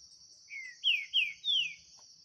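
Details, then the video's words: Green-winged saltator in a 2023 song dispute with a bird free in the bush: a soft opening whistle then three loud, clear, downward-sweeping whistles about half a second apart, over a high insect drone. "DISPUTA DO SÉCULO 2023 🔥TRINCA FERRO - SINISTRO X SOLTO NO MATO🔥"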